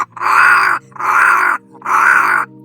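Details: Cape crow in Kgalagadi, Kalahari, in August, apparently begging to share food with people, giving three harsh, drawn-out caws, each about two-thirds of a second long, at a steady pace with short gaps between.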